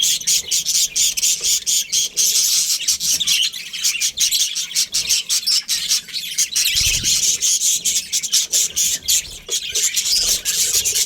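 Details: A breeding pair of Australian budgies gives continuous rapid high chirps and scratchy warbling, with sharp clicks scattered throughout and a brief low thump near the middle.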